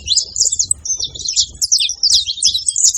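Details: Saffron finches together at a feeding spot (seva), making noise: dense, overlapping high chirps and short sweeping notes chatter almost without pause, with a faint low rumble underneath.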